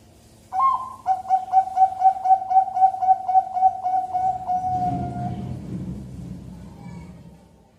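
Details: Bangkok-line zebra dove bred on a bird farm in Pasuruan, East Java, Indonesia: a rising opening note, then about a dozen quick, even, cooing notes on one pitch, fading into low background rumble.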